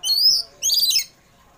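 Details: Oriental magpie-robin in the afternoon, used to lure home-kept birds into singing: two bright, high rising whistled phrases separated by a short pause.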